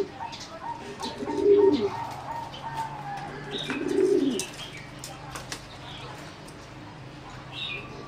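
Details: Competition singing zebra dove, a bred line selected from wild mutations, in a flight cage on 30 April 2014: two rolling, purring coo phrases about two and a half seconds apart, with faint chirps of other birds behind.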